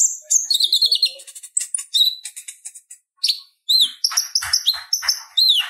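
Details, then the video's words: Purple-throated sunbird, recorded to tutor other songbirds, in a busy high song: quick chattering runs, buzzy notes and downslurred whistles, with a few faint low knocks in the background. "Suara Ocehan Konin Gacor Tajam Ampuh Buat Masteran Kolibri Ninja | Purple-throated sunbird"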